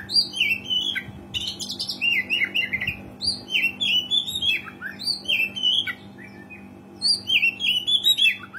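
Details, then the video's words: Oriental magpie-robin in full, energetic song, used as a lure to prompt rarely singing birds. Varied whistled phrases, rising and falling slurs, sweet warbles and scratchy notes in quick, uneven bursts. A steady low electrical hum runs underneath. "KACER GACOR SUARA ASLI PANCINGAN KACER JARANG BUNYI"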